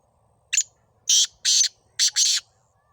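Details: Black francolin (kala teeter) calling in Sindh, Pakistan: a short harsh note, then four grating, buzzy notes in two pairs, loud against a quiet background.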